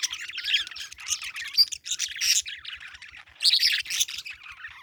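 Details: Parakeet squawking and chirping in harsh, high bursts, with a short quieter gap before a final loud cluster.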